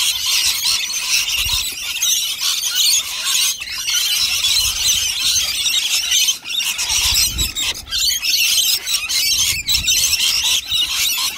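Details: Rainbow lorikeets gathered in a flock, feeding on nectar, give a dense, continuous chorus of shrill, harsh screeches and chatter with no pauses, with occasional low thumps in the background.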